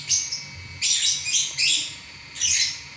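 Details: Non-stop singing lovebird: rapid high squeaky twittering notes grouped in a few close bursts, shrill and scratchy, over low steady hiss.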